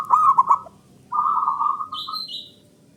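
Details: Zebra dove male singing, played to prompt reluctant, quiet doves to respond: a pulsed, rolling coo followed by a longer, even cooing note. A brief high whistle from another bird comes at the end.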